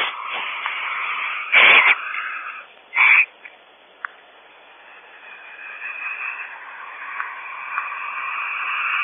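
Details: Barn owls at their nest cavity at Audubon Starr Ranch, California, reacting to an unwelcome visitor. Two harsh, rasping, hissing bursts are heard, followed by a faint click and a steady background hiss.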